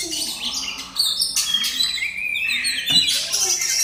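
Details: Captive oriental magpie-robin (kacer) kept by its owner, tested in full 'bongkar' singing: a dense run of bright, high whistled and chattering phrases, quickly changing notes with short buzzy trills, and faint background chirps.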